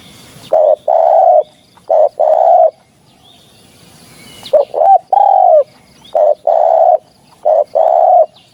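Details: Spotted dove coos recorded for luring doves when hunting. Repeated two-part units of a brief coo then a longer one, one unit every 1.3 to 1.5 seconds, broken by a falling, wavering phrase midway. Loud, with slight distortion.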